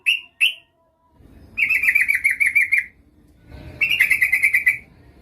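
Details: Lure recording of a female Yellow-vented Bulbul calling a male. Two short sharp notes are followed by two fast pulsed rattling trills of about a second each, separated by a quiet gap with faint rumble.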